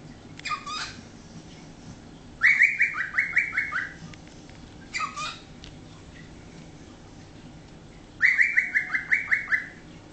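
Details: A 13-year-old pet cockatiel that is still learning words gives two short, harsh squawks and two quick bursts of chattering, each a run of about six bright notes stepping downward.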